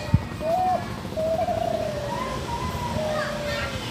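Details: Spotted dove, a competition-type bird, giving soft, hollow coos: a few drawn-out notes, some sliding slightly upward, over a low background rumble and a sharp click at the start.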